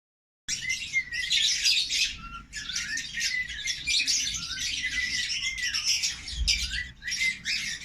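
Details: Tame African lovebird siblings kept as caged aviary pets give dense, shrill squawking chatter after a brief silence, overlapping high scratchy notes mixed with short rising whistled chirps, almost continuous throughout.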